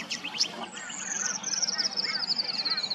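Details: Tawny grassbird in Queensland, Australia, calling a long, fast trill that slides steadily down from very high to high pitch, after a few brief chirps, with other birds chattering softly behind.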